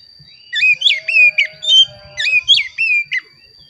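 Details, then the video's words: Oriental magpie-robin lure song for prompting reluctant caged birds to sing: loud sweet whistled notes, bending up and down, delivered in a quick run of about eight phrases, with a faint constant high tone and low ticks behind. "Pancingan Kacer Agar Bunyi"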